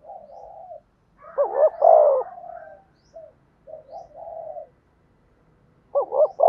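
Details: Spotted dove coos for training decoy birds: one loud phrase of a quick double note and falling coo, then soft short coos, and the start of another phrase at the end.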